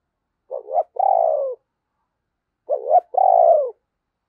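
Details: Decoy spotted dove with a deep, thunderous voice, singing to entice wild doves: two identical low phrases about two seconds apart, each a short rising coo then a long, slightly falling hollow note.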